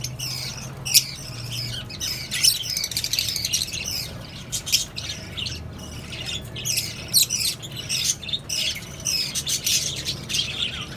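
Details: Mixed colony of lovebirds, cockatiels and budgies calling constantly: a busy chatter of sharp high squawks and chirps in irregular bursts over a low background hum.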